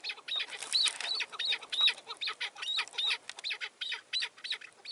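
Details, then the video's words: A decoy chukar partridge on a snowy mountain, spring 2019, around 11:30 during a hunt, gives harsh, high, chattering notes, repeated rapidly at nearly three per second in an uneven run, calling back and forth with a wild partridge. "keklik sesi"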